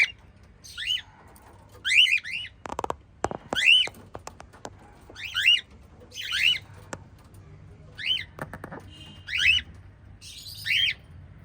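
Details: A family of five lovebirds give sharp, shrill chirps in short bursts roughly every second or two, with a few clicking knocks.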